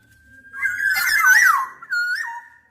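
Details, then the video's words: Black-naped oriole giving a long liquid whistled phrase with a rich, slightly harsh middle section, then a short falling whistle. "Tiếng chim Vàng anh Gáy đen/ VA Trung Quốc ✅Black-naped Oriole(Oriolus chinensis)"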